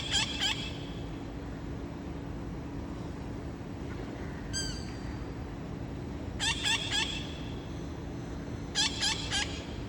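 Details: Visiting parrots on an August afternoon near 5:20, a scout calling others to join: rasping harmonic squawks in tight bursts of two or three, spaced several seconds apart, with a steady background hum.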